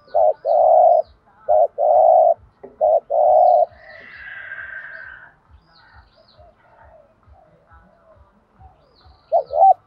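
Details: Spotted dove cooing to provoke other doves into calling: three close coo phrases, each a short note then a sustained coo, then a pause with a faint hiss and steady low ticking, and a last short note.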